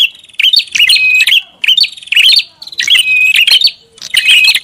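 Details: Repeated bursts of bright, rapid chirps and level whistles from a prinia, recorded as a lure call, arriving roughly once a second.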